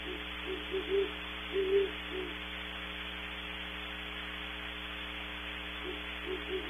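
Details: Great horned owls far off at Starr Ranch, California, processed and distorted: two separate bouts of several low muffled hoots in a stuttering rhythm, with a long gap between, under constant humming noise.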